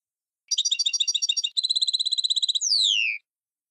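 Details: Old-style song of a Tunisian European goldfinch, the 'tarka' called Sahnoun Sfaxi: a second of quick tinkling twitters, then an even, rapidly repeated buzzy trill, ending in a smooth descending whistled slur.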